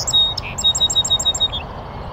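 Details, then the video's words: On a northern USA oak savanna next to a beaver pond, a North American Song Sparrow perched in a bush delivers high clipped notes, a short low buzz, then a rapid evenly spaced series of about eight sharp chirps fading into a soft trill. "Sweet serenade of a North American Song Sparrow"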